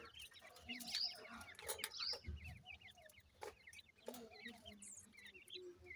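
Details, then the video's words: Francolin chicks while feeding: many short, high, downward-slurred peeps overlapping in a busy chorus, with a few soft low clucks and scattered clicks and knocks. "Teetar chicks ke awaz"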